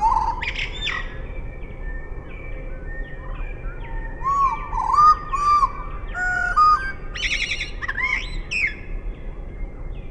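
Eurasian blackbird song played at half speed: deep, fluty whistled phrases that rise and fall, ending in a few scratchy twittering notes, over a low rumbling background.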